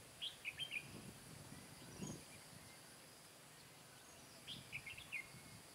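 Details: Decoy Red-whiskered bulbul singing during trapping on 15 July 2017 to draw in wild birds; two short phrases of sharp, lively warbled notes open and close the recording, with faint low rustling and insect hum between them.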